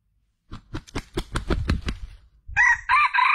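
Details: Junglefowl call used as a lure for attracting males: a quick run of about eight sharp, percussive clucks, a brief pause, then a louder harsh, tonal crow-like phrase that wavers in pitch to the end.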